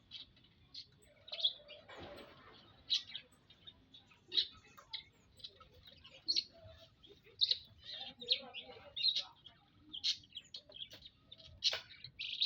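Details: Aviary group of munias (emprit) on 19 April 2025: a steady run of short high chirps, roughly one or two each second, with a few softer lower notes and a brief rustle.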